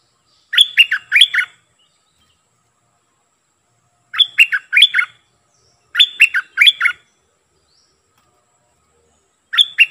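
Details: Decoy Streak-eared bulbul delivering short, lively phrases of four or five rapid warbled notes, repeated every two to three seconds with silent pauses between them.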